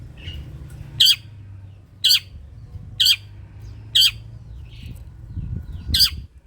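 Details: Long-tailed shrike calls used to spur shrikes to sing: loud rasping squawks about one per second, a few softer notes between, over steady low rumbling noise that rises near the end.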